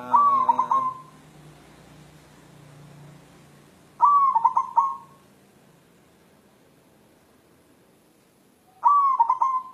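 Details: Cooing of a white zebra dove of local wild stock, said to be seeking a mate: three stuttering, trilling coo phrases spaced roughly four to five seconds apart, the first already underway, over quiet low background noise.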